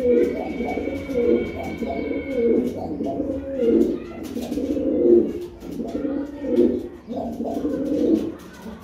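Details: Several pigeons give deep, burbling coos in overlapping waves, each phrase swelling and fading within a second or two, forming a constant murmuring chorus.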